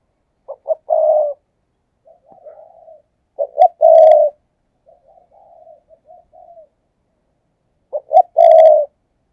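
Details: Decoy spotted dove cooing in the 'thúc gù' style to lure wild doves. Loud, clean phrases: two quick short notes, then a long, throaty coo. Softer murmuring coos fill the gaps, and the phrase returns about every three to four seconds.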